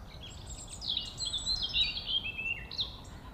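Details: Birds chirping on a beautiful day: high, quick twittering notes and thin sliding whistles, partly overlapping, over a steady low rumble of background noise.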